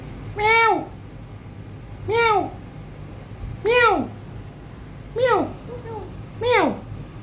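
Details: Grey parrot imitating a cat, giving five rich, rising-then-falling meow calls about every one and a half seconds in a quiet room, amid talk of "hello" and "meow".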